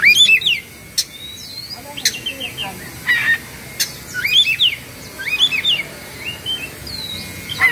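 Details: Agitated Oriental magpie-robin kept in Indonesia, fluffing and spreading its tail, pours out repeated looping whistled phrases with sharp clicks, a steady tone and continuous varied chatter.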